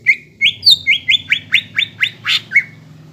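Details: A greater green leafbird delivers a rapid series of slurred, whistled notes with one harsher burst near the end, a song used to encourage young birds to start singing.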